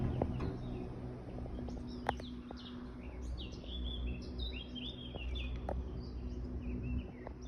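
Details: Live recording of birdsong: several birds give scattered high chirps and short twittering phrases over a steady low rumble of background noise, with a few sharp clicks.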